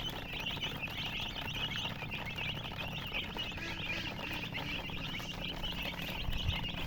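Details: Dense chorus of chicks peeping, high rapid chirps overlapping continuously above a low murmur of background noise.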